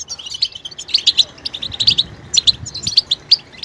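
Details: European goldfinch mating-readiness calls, a twittering style known as betbeta, used to stir silent males into song: quick bright high chirps in clusters, with sharp peaks repeating every half second or so and short gaps between bursts.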